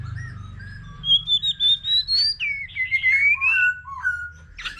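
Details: Mature wild-caught white-rumped shama in solo song with a laughingthrush: thin whistles lead into a long clear note rising high, then a gliding series falling step by step.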